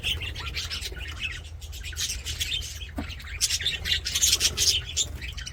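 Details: Budgerigars singing and playing in an aviary, a busy stream of scratchy chirps, clicks and warbles, growing louder in the second half, with a steady low hum.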